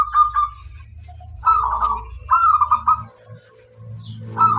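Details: Local zebra dove cooing, used to train other birds to sing: short bursty, slightly buzzy coo phrases repeated with brief pauses, backed by a steady low hum.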